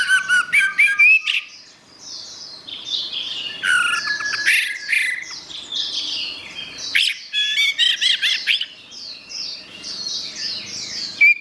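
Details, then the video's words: Orange-headed thrush, master song for training songbirds: almost continuous rich twittering, with clusters of quick whistled and squeaky notes and brief pauses. A backdrop of repeated high downslurred notes runs throughout. "Ocehan Suara Burung Anis Merah"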